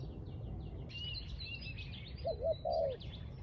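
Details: Busy high chirping and twittering from small birds, then one spotted dove cooing phrase near the end: short notes leading into a longer, rough coo. Recorded near a bird trap.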